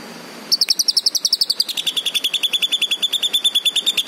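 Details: Green leafbird singing. After a short pause it launches a fast, even trill of bright high notes that steps down in pitch midway and then runs on steadily to the end.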